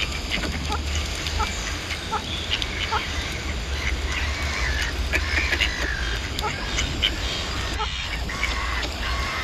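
A flock of ducks gives many short, nasal quacks in overlapping bursts, with a steady low rumble and a person talking in the background.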